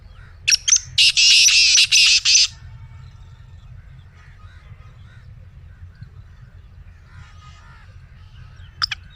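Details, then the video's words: A black francolin gives a loud, harsh, grating run of rasping notes lasting about two seconds, then a brief scratchy note near the end, over a low hum and soft distant chirps. "Black Teetar Voice"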